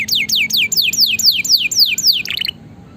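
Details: Lively canary singing meant to prompt lazy canaries: a regular run of about nine downward-sweeping whistles, followed by a brief cluster of quick chips, then near quiet.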